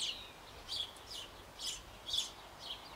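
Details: Parent sparrows feeding near-fledged nestlings in a birdhouse on an old Bavarian apple tree; brief high chirps in quick bursts, a louder pair near the middle and end.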